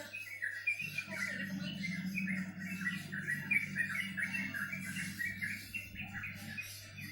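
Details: Bird chirping in a dense, busy stream of short scratchy notes that builds after the first second, with a low buzzing hum running throughout.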